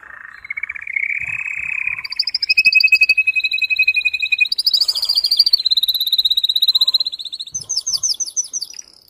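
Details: Strong, excited song of a male canary, sung to stimulate mating: a chain of fast rolling trills that step from a lower buzzy roll up to several high, bright, rapidly repeated tours.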